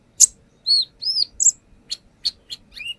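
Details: Brown-throated sunbird song used as a lure, showing off its repertoire: a loud chip, arched whistled notes, then sharp chips and a falling whistle, over a faint low hum.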